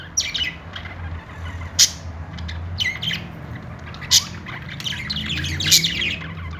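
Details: Budgies chirping happily, scratchy warbling squawks punctuated by three loud sharp clicks or chips, with a steady low hum behind.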